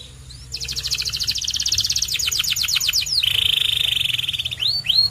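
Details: White canary song opening with a fast rolling trill that slows into separate notes, followed by a steady buzzy tone and a few sharp rising whistles.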